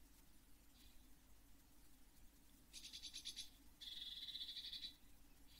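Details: Seven Eurasian blue tit chicks in a nest box, fledging day at Midsummer, 24 June 2022, hatched early June. They give two bursts of high, thin, rapidly pulsed calls, each about a second long, over a low steady hum.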